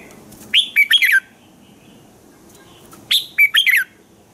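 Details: Red-whiskered bulbul morning song meant for training other bulbuls: a pair of crisp whistled phrases roughly two and a half seconds apart, each several quick notes ending in a downward slur, with a faint background hiss.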